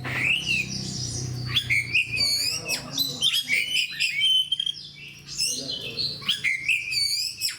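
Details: Caged oriental magpie-robin (kacer) in fighting form: fast, loud medley of sweeping whistles, rattling trills and sharp chips, phrases tumbling together with brief pauses, over a soft low hum.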